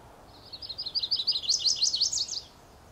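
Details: Territorial Type II song, with an unaccented ending, from a male Chestnut-sided Warbler at Beech Hill Preserve in Rockport, Maine, foggy dawn of 30 May 2014. Thin, rapid, high slurred notes build in loudness over two seconds, then stop without an emphatic finish.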